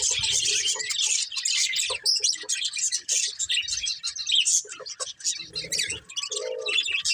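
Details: Several pet budgerigars chirp happily in a steady, busy stream of high, scratchy warbling and twittering, with a faint low murmur underneath at times.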